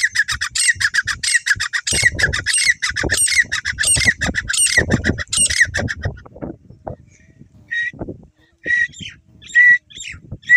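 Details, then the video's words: Grey francolin calling in harsh, squawking bursts repeated in rapid series for about six seconds, then sparser sharp notes, with people's voices and low rumbling noise beneath. "Desi teetar ki awazTeetar Ki AwazTeetar ki boli"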